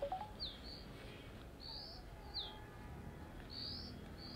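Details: A female dark-grey bushchat, perched on a deodar twig guarding its ground nest in the western Himalaya, gives short, high, downslurred whistled notes, about one every second, over a low background rumble.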